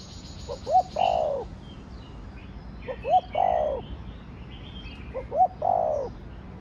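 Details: Three crowing phrases from a spotted dove in the Thổ Đồng voice, each two brisk rising notes then a long throaty coo that drops in pitch, about two and a half seconds apart, with soft distant birdsong.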